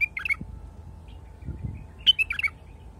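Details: Wild bulbul singing: two short bursts of clear, liquid whistled notes around the middle pitch range, separated by a pause of about a second and a half, over a faint steady hum and low background rumble.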